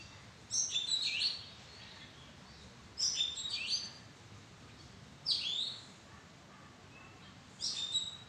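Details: Oriental magpie-robin in a madan tree arbor repeats four short whistled phrases, each mixing sharp high notes with a downward-sweeping slur, about every two and a half seconds with quiet gaps between.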